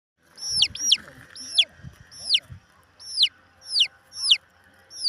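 High, shrill chick peeps, each sliding sharply down in pitch, repeated about every half second; a faint low hum and soft thumps sit underneath.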